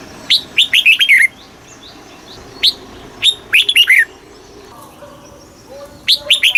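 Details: Red-whiskered bulbul singing in the southern master style, played to rouse caged birds and train young: single sharp notes lead into rapid clusters of rising-and-falling whistles, repeated in uneven phrases.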